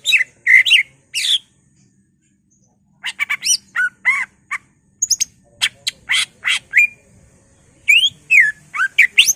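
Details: Varied greater green leafbird song meant to rouse other leafbirds: clusters of sharp squawky notes and clipped whistles, some bending up and down, coming in uneven bursts with pauses.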